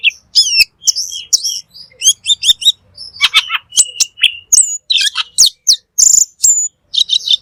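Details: Cucak keling or black magpie pouring out a fast, energetic song for training caged birds: crisp high whistles, sharp slurred chips and twittering phrases packed closely with barely any gaps.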